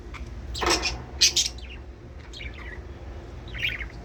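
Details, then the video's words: Budgerigar chatter meant to prompt breeding: a loud harsh squawk-like burst, then sharp chirps, softer twittering, and a final cluster of warbled notes, over a constant low background hum. "من أجل تحفيز طيور البادجي على التزاوج"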